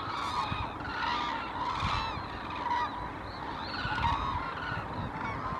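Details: A large gathering of hooded cranes at Arasaki, Japan, in November calls continuously, with loud trumpeting and honking notes overlapping in a dense, restless chorus.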